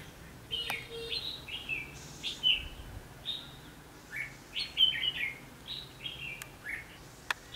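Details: Red-whiskered bulbul singing at a trapping site in Vietnam, 19 November 2015: a lively run of short, varied whistled and warbled notes, several per second, with a couple of sharp clicks and a brief faint low whistle.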